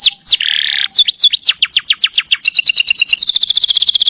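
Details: Canary singing a long roll used for tutoring other birds: fast descending whistled sweeps and a buzzy note give way to an accelerating, continuous trill of rapid repeated notes.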